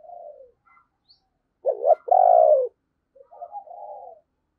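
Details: Spotted dove kept as a decoy, cooing and giving 'thúc' calls to bring in wild doves. A soft falling hum, then a loud rasping double coo with a long second part, then low murmured notes.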